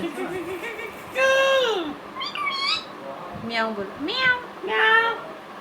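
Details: Pet Indian ringneck parakeet talking, imitating words and a meow: a series of drawn-out, nasal, human-like syllables and a cat-like meow with wavering, sliding tones, in a quiet room.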